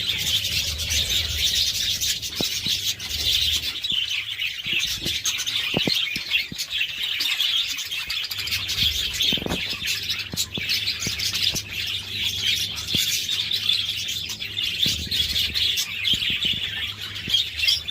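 Budgerigars chatter steadily with high, scratchy warbles and quick chirps.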